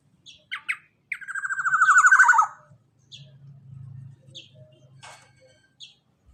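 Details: Black-naped oriole, a golden oriole type used as a lure to prompt reluctant birds to sing: a loud, slightly buzzy note sliding down for over a second, preceded by short sharp chirps and followed by brief high notes and a low hum.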